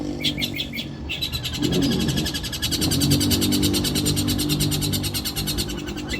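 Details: Long-tailed shrike (cendet) singing in the harsh 'nembak kasar' style, a training recording for other birds and contests; a rapid, buzzy, rattling burst of notes repeats about three times a second over a steady low hum.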